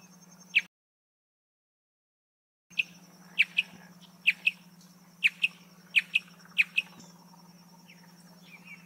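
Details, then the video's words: Marsh antwren song of sharp high paired chirps in a steady series after a brief silence, with softer twittering at the end and a persistent low hum. "Canto do pássaro Bicudinho-do-brejo"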